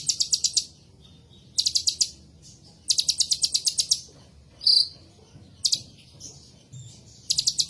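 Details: Ninja sunbird song: bursts of high, rapid metallic trills, each about half a second to a second long, separated by short pauses, with a brief thin whistle between bursts.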